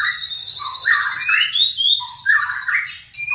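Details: White-rumped shama singing a high, steady whistled tone over lower gurgling warbles, then rising slurred phrases.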